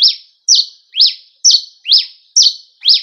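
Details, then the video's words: Cravina from Rio Grande do Norte, Brazil, giving its campina-style song: a loud high note that drops in pitch, repeated steadily about twice per second, seven times. "Cravina boa do rn canta en igual campina"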